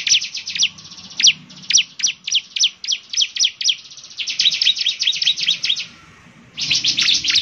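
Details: Bar-winged prinia, ciblek semi type, in full song: spaced high chirps speeding into a dense rattling run, then a brief lull before the chirping resumes.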